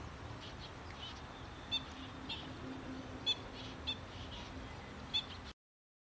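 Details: Black-winged stilt in a wetland giving about five short, sharp, high notes at uneven intervals over five seconds, against a steady low rumble and hiss.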